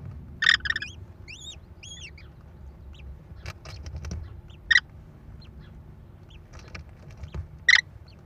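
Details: American kestrels on a nest camera in Wisconsin, May 13, 2021, the mother feeding her four chicks with prey; three loud harsh squeals spaced about three seconds apart, thin arched chirps after the first, plus scattered clicks.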